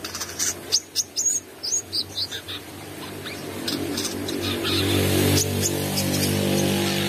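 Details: Brown-throated sunbird singing energetically with open beak: a quick run of sharp, high chirps and short whistled notes over about two and a half seconds, then a steady low mechanical hum grows louder.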